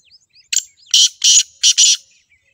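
Black francolin giving a short note, then four loud, harsh, grating bursts in quick rhythm. Faint thin chirps of small birds sound in the background.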